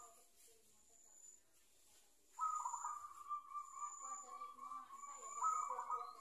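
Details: After two seconds of quiet, a zebra dove still learning its coo, caught with a decoy, breaks into a sustained vibrating trill that ends with a louder rippling flourish.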